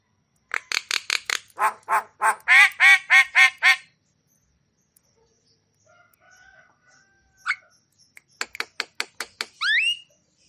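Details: Javan myna singing energetically with a full repertoire, used to stimulate stressed or quiet mynas: quick runs of harsh chattering notes that speed up, a pause, then clipped notes ending in a rising whistle.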